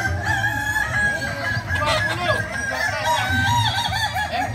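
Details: Kukuak balenggek fowl crowing during a training competition at AMKO. Continuous overlapping crows with long stepped phrases and wobbling tones come from several birds over a constant low background drone.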